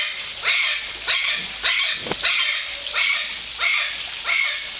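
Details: Golden conures in Parque das Aves, Foz do Iguaçu, Brazil, giving grating squawks in a regular run, close to two per second, with a rough, noisy texture throughout.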